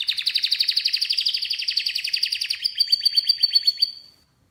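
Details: Canary singing a fast rolling trill of rapid chirps, about four per second, slowly falling then breaking into a brighter, clipped series of notes before stopping.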